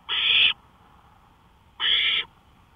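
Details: At 1:53 AM on May 5, 2013, an owl out on a porch utters two harsh, hoarse screeches of about half a second each, separated by a pause of over a second, in a quiet night.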